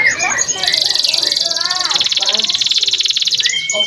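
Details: Singing male canary meant to teach young birds, mixing slurred whistles with a long, even, fast trill of high pulses, ending in a short rising whistle.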